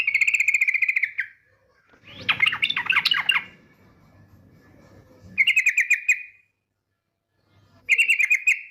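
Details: Female yellow-vented bulbul calling the male with rapid trilled ngetir calls, used as a lure to prompt singing. Buzzy rattling trills repeat, broken by a burst of bubbly, jumbled chattering notes in the middle, with a faint low hum beneath.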